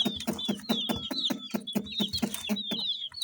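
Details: Bright-coloured chicks chirping with high, falling peeps over a steady series of loud, regular hollow knocks, about four each second.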